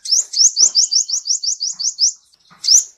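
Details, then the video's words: Olive-backed sunbird lure song to get a quiet bird singing: a steady series of about ten high, upslurred chirps at roughly five per second, a short pause, then one louder rising note. "PANCING SUARA Burung Kolibri Ninja yang males bunyi agar rajin bunyi,gacor, dan ngeplong"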